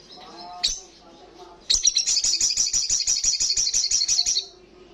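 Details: Sunbird, olive-backed, giving a loud ngalas trill: after a few soft low notes and one sharp chip, a long, fast, buzzy series of high repeated notes runs for nearly three seconds.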